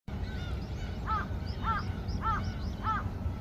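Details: Gulls calling in a chorus at the Yeouido ferry pier, flying: loud harmonic squealing calls repeated about every 0.6 seconds, with many fainter gull calls overlapping behind them and a steady low engine-like rumble throughout.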